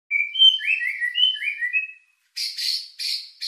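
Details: White-rumped shama lure song with rich filler, meant to stir emotion and breeding drive: clear whistled phrases stepping between pitches, followed after a short pause by three harsh buzzy bursts.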